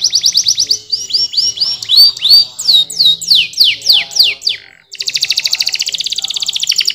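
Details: Canary singing loudly: a series of repeated curved, whistled downslurs about three per second, then a rapid fast-pulsed high rattle trill to the end, clean and close with almost no background.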